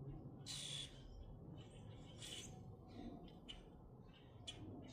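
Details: Grackles in Minnesota produce harsh, wheezy squawks and shorter chattering notes, irregularly spaced, over a steady low-frequency background noise.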